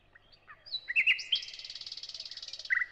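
A thrush nightingale sings a few loud clicking and whistled notes, then a fast dry rattle of about twenty pulses, ending on a lower whistle.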